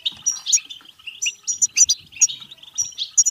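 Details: Goldfinch singing the batbata style, intended to make goldfinches sing and mate; short burst of bubbly twittering with clear high pips recurring roughly every half second over liquid chatter.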